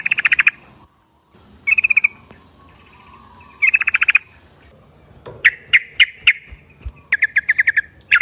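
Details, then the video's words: Yellow-vented bulbul lure call, meant to make other bulbuls answer: bright, rapid chattering bursts of quick notes, each about half a second long, repeated in several separate bursts with short silent gaps between them. "Trucuk bakan ikut bunyi kalo denger trucuk yang satu ini ‼ Trucukan ombyokan auto nyaut"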